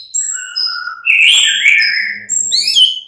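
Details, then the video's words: White-rumped shama morning song used to prompt other shamas to reply; clear whistled notes at varied pitches, then a rich, dense warble in the middle and rising high whistles at the end. "Pancingan murai batu PAGI DHUHA Agar NYAUT GACOR dan Ngeplong"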